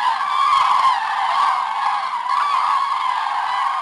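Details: Morning departure of a large flock of common cranes at Hortobágy, Hungary, on 24 October 2010: many overlapping loud trumpeting, rolling calls merge into a continuous bugling din.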